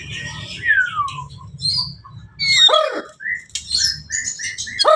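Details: White-rumped shama of the Blorok type in extreme singing: loud varied whistles, a long descending slurred note, then sharp upward sweeps and clear chirps, over a steady low hum.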